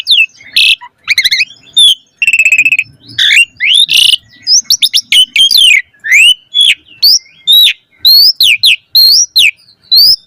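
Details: Asian pied starling in a full, varied 'gacor' song used as a lure to make other starlings sing: rapid sequence of whistled upslurs, sharp chirps, buzzy harsh notes and rasping bursts, densely packed with brief gaps.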